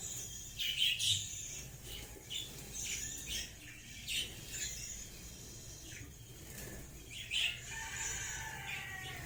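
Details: Pet budgerigars in flight give bursts of high, scratchy chirps and warbles, mixed with the flutter of wingbeats.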